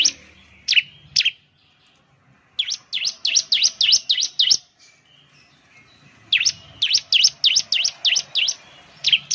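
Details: Ciblek lure song: a pair of sharp high chirps, then two fast runs of seven or eight V-shaped notes separated by brief silence.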